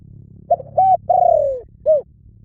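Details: Spotted dove cooing over a steady low hum: short clipped notes, a long coo sliding gradually downward, then a final short rounded note.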